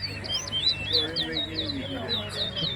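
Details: At a Towa Towa (chestnut-bellied seed finch) singing competition in Guyana, a finch sings a fast, sweet run of high whistled and slurred notes, several each second, while a man counts aloud.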